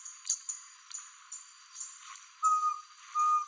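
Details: Least pygmy owl (Glaucidium minutissimum) at Angra dos Reis, Rio de Janeiro, Brazil, giving two plain, steady whistled notes at mid pitch, each about half a second long, over a constant high insect hiss.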